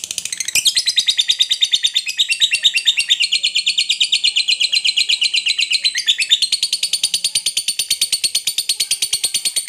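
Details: Long ngekek of a fighter lovebird, a hard, fast rattling chatter of high notes held for nearly ten seconds, briefly broken and shifting pitch twice, then running on unbroken; no background sounds.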